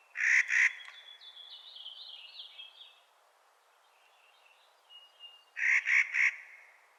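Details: Clark's nutcracker calling in spring: two rough, grating notes open, then three more close the sequence after several seconds. Another bird's high, fluttering warble fills the middle.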